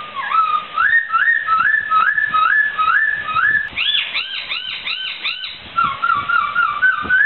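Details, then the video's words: A laughingthrush sings loud, rich whistles: upslurred notes repeated about twice a second, then a run of arched, ringing phrases ending in a level whistle. "Suara Burung Poksai"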